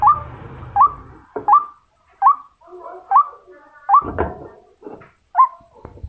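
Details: Female white-breasted waterhen calling to males, giving upturned hooked notes roughly every two-thirds of a second, mixed with dull knocks and clicks.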